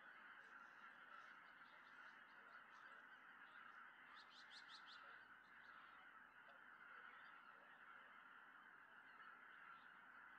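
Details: Wild greater white-fronted geese returning all together in the evening to a lake in Tohoku, Japan, in early December, with a peregrine falcon watching. A dense, continuous chorus of honking and yelping from a large flock, with a burst of sharper, higher calls midway.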